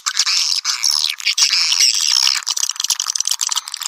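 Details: Swiftlet call meant to attract swiftlets: continuous high, squeaky twittering with thin whistled notes, then looser broken chirps toward the end.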